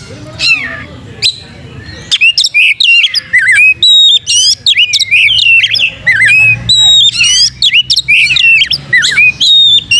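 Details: Oriental magpie-robin singing energetically as a lure to make other birds open their tails and sing: scattered high whistles, then a long, dense stream of sharp, looping, squeaky notes and chatter.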